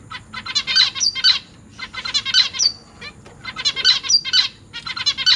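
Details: Captive zebra finch chicks in a cage, 12 August 2023, newly hatched young being fed by parents: dense bursts of harsh, buzzy, rapidly pulsed begging notes in four clustered volleys about a second apart, loud and high-pitched.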